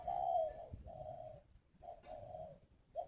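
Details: Decoy spotted dove from a bird farm in Ba Vì, Hanoi, Vietnam, cooing fairly softly: a run of low, mellow hoots in short bursts separated by brief pauses, with faint background rumble.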